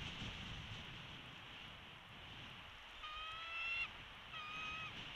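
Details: Bald eagle from a Big Bear Valley nest camera, 13 March 2022 near noon, with a young chick in the nest; two thin, steady whistled calls rich in overtones appear late, over a soft wind-like hiss.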